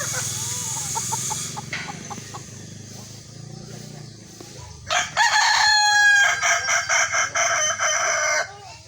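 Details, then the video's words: Amid steady background noise, a kukuak balenggek rooster at a sparring crowing contest lets out a loud crow: a long sustained ringing note, then several rapid staccato syllables that gradually fade. "Ayam kukuak balenggek"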